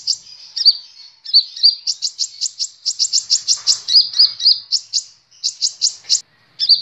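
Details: Sunbird called kolibri ninja, a cage bird recorded for training others to sing: a rapid, lively run of high piercing chips, about three or four per second, mixed with squeaky slurred notes and short pauses.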